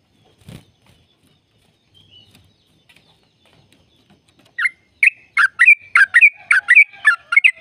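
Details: Yellow-vented bulbul trill for prompting caged birds: after near silence, a series of loud clipped warbling notes about three per second, growing denser toward the end.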